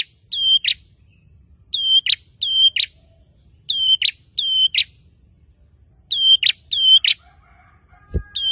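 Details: Ashy tailorbird made restless by a lure sound, repeating its paired call about eight times, a high piercing whistle then a short buzzy note, grouped in twos, with a single low thud near the end.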